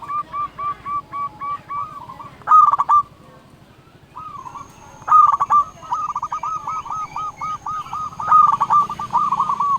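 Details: Local zebra dove in full song, used to call rivals and provoke other doves into answering: runs of short, rhythmic mid-pitched cooing notes repeated in quick series, broken by a brief pause and a few louder, harsher bursts.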